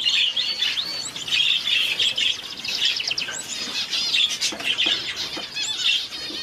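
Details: A weak one-day-old Society finch chick being hand-fed gives rapid, high, thin begging chirps, almost without pause, with soft clicks and handling noises.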